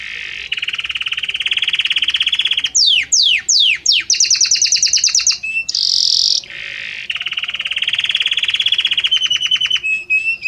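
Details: Belgian canary's harmonious song passing gradually between notes: long rapid rolling trills, a run of steep descending sweeps, a fast high trill, a buzzy steady tone, then trilling again.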